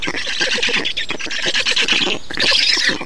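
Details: During a black stork feeding in Estonia, 2 June 2019, rapid, choppy squawks form a chattering series, then a louder, higher, shriller burst of squeals near the end.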